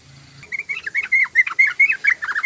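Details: Yellow-vented bulbul singing vigorously, a recording meant as a lure for other bulbuls: a quick, bubbly run of rich warbled notes rising and falling, nearly continuous after a faint low hum at the start.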